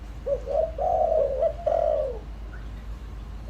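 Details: Lure spotted dove cooing to provoke wild doves quickly: quick clipped opening notes run into a long wavering coo and a final falling coo, over a faint low hum.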